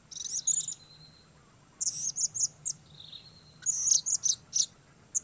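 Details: Blue-crowned hanging parrot singing alone as a trapping decoy: thin, shrill, high chirps in quick series, plus a few steady faint whistled tones between bursts; background otherwise quiet.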